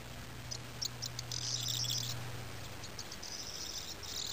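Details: Corn bunting singing twice on the Golan Heights, Israel, 14 February 2010: a few dry ticks speed into a high, jangling, glassy rattle like shaken keys, over a low steady hum.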